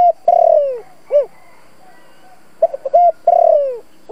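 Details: Decoy spotted dove with a local-style voice calling to excite and attract wild doves. Loud mellow coos: a long falling note, a short rounded coo, then quick short notes and another long descending coo, over faint hum.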